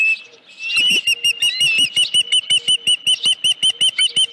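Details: Osprey at its nest on 31 July 2018, around 9:43 in the morning, with a headless fish. After a brief quiet start, loud, sharp whistled chirps repeat steadily, almost three per second, through to the end.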